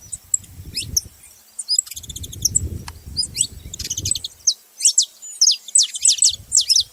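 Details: Group of saffron finches making noise together: scattered high chirps and buzzy rattled notes, growing into a run of bright downslurred tweets toward the end, over intermittent low rumbling background noise.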